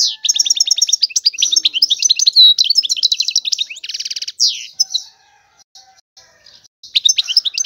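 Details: Rapid European goldfinch song of bright, jangling twitters flowing into a harsh buzzy trill, then trailing off into faint notes before resuming.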